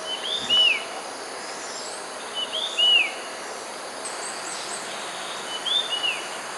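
Red-eyed bulbul giving short two-note whistled phrases, a quick rising note then a falling one, repeated about every two to three seconds over steady background hiss.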